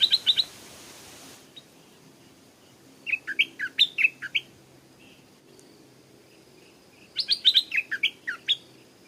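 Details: Stripe-throated Bulbul at a canal, a wild bird fighting a caged young decoy bird; short bursts of bright, bubbling, rising and falling notes come in two phrases separated by a quiet gap.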